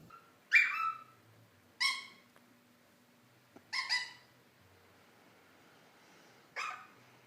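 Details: Captive Indian ringneck parakeet making silly noises: four short harsh squawks with uneven gaps, the later ones softer and raspier, over a low indoor hum.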